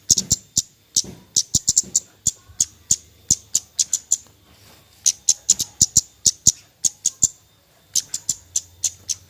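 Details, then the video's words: Nyecret calling of a Javan white-eye, played to stimulate lazy birds: a running series of high, thin, staccato chips, some clustered in fast bursts, one short break midway, faint hum in the background. "BURUNG KEMADE NYECRET NYECRET"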